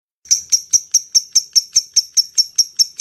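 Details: Lovebird, a call used to lure other lovebirds, known locally as ngetik: sharp high ticks repeated steadily about five times a second, each a bright clipped note, with no other sounds.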